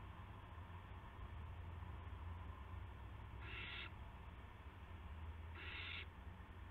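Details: Harsh, noisy owl screeches from a live camera on the evening of March 18, 2016, as an owl brings in a gopher; two loud bursts about two seconds apart over steady low-frequency drone.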